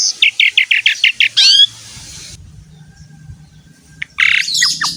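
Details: Asian pied starling song used as a training song for other birds: about seven evenly spaced loud chirps, then a harsh rasping note, a quiet pause with low hum, and a final noisy burst.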